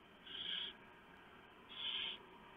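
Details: Barn owl family at the nest, 3 November 2015, in the early morning dark as prey is handed over and torn for the owlets. Two drawn-out, harsh, airy screeches, each near half a second, about one second apart.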